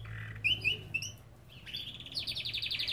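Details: A Belgian canary in an aviary sings bright, high warbled phrases, then a fast run of repeated chirping notes over a low steady hum.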